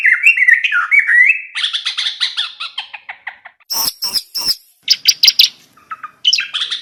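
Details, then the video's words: Sooty-headed bulbul song for daily morning training of a silent bird: fluid whistled phrases leading into rapid chattering runs, then sharp high clicking bursts and short scratchy notes. "Masteran burung trocok macet total||dengarkan setiap pagi hari||langsung gacor"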